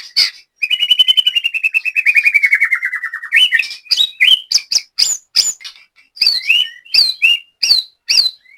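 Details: White-rumped shama at a latber practice in Banyumas, Central Java, kept as a caged songbird. A long, rapid rattling trill slowly drops in pitch, then gives way to separate bright whistled and chirped notes.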